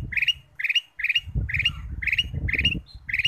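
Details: Kutilang emas bulbul song used as a lure to get other birds singing: short bright chirpy phrases repeated about every two-thirds of a second, with low rumbling background noise.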